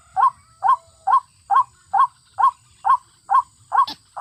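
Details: Played as a trapping lure, white-breasted waterhen calls come as evenly spaced rough 'kruak' notes, about nine in four seconds, over a faint low hum, ending with a brief click.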